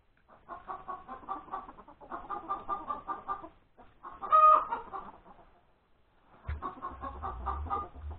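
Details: Egg-laying hen cackling at breakfast time, Sunday 31 January 2021: two long stretches of rapid clucking around a single loud cry, then more clucking over a low rumbling noise.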